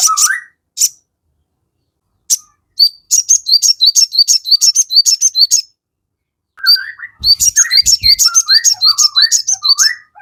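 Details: Crested jay (sogon) singing as a lure to make birds call back: a few rising whistles, then long bursts of rapid, evenly repeated high chirps, about three a second, broken by short silences.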